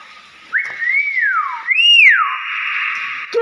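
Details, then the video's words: Common hill myna kept as a pet, whistling loudly: a rising then falling swoop, a second higher arched swoop, then a long steady held tone, while people chatter and urge it on. "BURUNG BEO GACOR"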